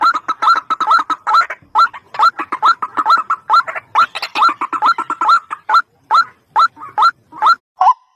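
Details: Ruak-ruak, the white-breasted waterhen, in a trapping lure recording: fast, steady series of loud, hoarse notes that each bend upward, crowded and overlapping, slowing slightly toward the end before a final flat croak.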